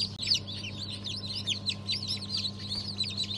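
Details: Newly hatched chicken chicks from a mixed batch hatched 1 December 2022, including Habeş, Sultan and İspenç breeds; many overlapping high peeps, each a quick falling or arched note, with a steady low machine hum beneath.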